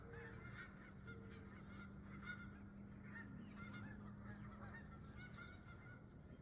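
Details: Wild geese calling at sunrise beside a campsite: scattered brief honks, some in quick pairs, ride over a continuous low hum and steady background rumble.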